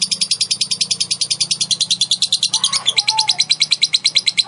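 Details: A female lovebird trills a long ngekek, used to get other lovebirds singing; rapid, regular, high-pitched chattering pulses flow continuously, with a brief soft lower sound midway.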